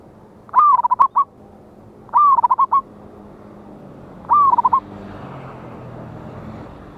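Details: Local wild zebra dove with a strong voice, recorded 11/8/24 for luring birds to traps. Three phrases roughly two seconds apart, each a swooping whistled note ending in a few quick staccato coos, over faint background noise.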